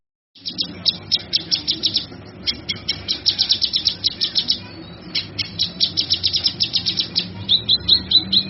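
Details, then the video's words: Male kinoy song meant for training other birds: long bursts of rapid, high scratchy chirps repeated in quick pulses, with short pauses and a thin trilled phrase at the close. "Suara Burung Kinoy Jantan"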